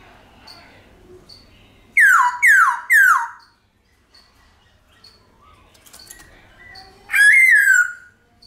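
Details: Black-throated laughingthrush with a long, ringing forest-style song meant to stimulate pet birds: three loud, fast, downward-slurred whistles in quick succession, a pause with faint chirps, then a longer wavering whistled phrase.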